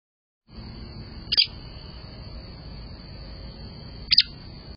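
A young American robin gives two short, sharp high chirps about three seconds apart, over a steady thin high whine and soft background rumble.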